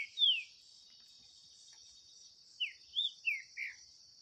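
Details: Green-winged saltator in a song dispute with a wild rival: one loud falling whistle, a pause, then four quick downslurred whistled notes, with a persistent shrill insect drone behind.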